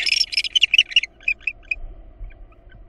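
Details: Excited burst of raspy, overlapping chirps that slows into scattered squeaky notes, from barn owls at a nest under attack by a female intruder, with the father returning with a rat.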